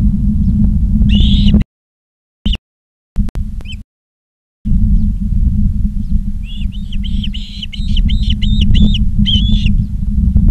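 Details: Charlo, Montana osprey on a nest cam, 19 August 2023 at 16:05: a whistled chirp, a stretch broken by dropouts, then around ten fast whistled notes in a regular series, with steady low hum throughout.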